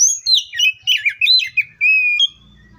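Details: Song of an oriental magpie-robin (Copsychus saularis): rapid warbled and twisting whistles tumbling together, ending in one long, steady, clear whistled note. A low rumble enters at the very end.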